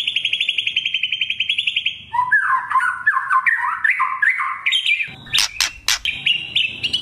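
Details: Murai batu trotol (white-rumped shama) performing kretekan, a lure to stir other birds to sing: rapid rattling chirps, then a varied run of lower whistled phrases, finished with loud clicks and bright notes.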